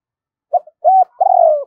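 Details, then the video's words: Spotted dove kept as a decoy to attract other doves, giving its double-voice call (giọng đôi): a quick soft note, a sustained mellow coo, then a longer coo that slides gently downward. "Chim Cu Mồi. tiếng chim cu gáy gọi hai hậu hay nhiều anh em còn gọi là giọng đôi"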